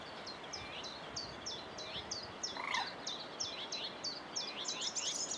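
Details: Common whitethroat at Saltersford Locks, 8/5/2013, singing a long string of quick, scratchy descending notes about three per second, with a lower rising call from another bird partway through and steady rural background hiss.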